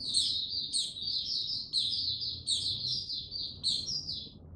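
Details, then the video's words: White-eye, known locally as mata puteh, singing slow and steady before fully opening: bursts of high warbled twittering, each starting with a sharp upward flick, roughly once a second. "Mata Puteh Before he open buka Tsunami Video 1 gaining confidence to buka slow n steady"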